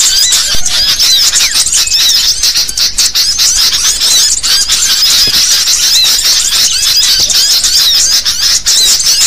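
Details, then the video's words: Sooty-headed bulbuls in a noisy chattering flock, a lure recording used by bird trappers: a dense, continuous mass of high squeaky, twittering calls from many birds overlapping with no pauses. "Suara pikat Kutilang Ribut anti GAGAL"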